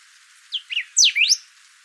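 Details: Thick-billed saltator singing a brief phrase: two short high notes followed by a loud steeply falling whistle and a rising slurred note, bright and piercing.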